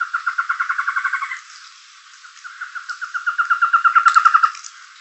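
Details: Black-headed Trogon hidden in the canopy in the Jaguarundi protected natural area gives two rapid runs of low, hollow clucking notes, about eight a second; the second run swells louder before it stops.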